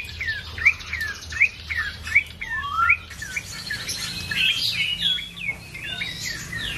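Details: Ashy tailorbird singing a series of short, sharply rising whistled notes, about one every three-quarters of a second, with fainter overlapping chirps later and a low hum underneath.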